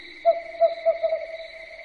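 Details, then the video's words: Owl calling at night: four or five brief, evenly pitched hoots in rapid succession, fading at the end, with a steady hum underneath. "SUARA BURUNG HANTU MALAM HARI"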